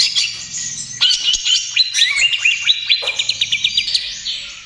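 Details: Greater green leafbird, kept as a lure and therapy bird for other birds, delivering a busy, varied high song: fast trills, rapid repeated chips and sweeping whistles, dense and continuous over almost five seconds, with faint low hum underneath.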